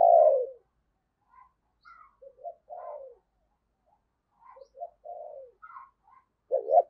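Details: Lure spotted dove calling wild doves: a loud falling coo opens, then a series of soft short coos and drawn notes, ending on a strong doubled coo.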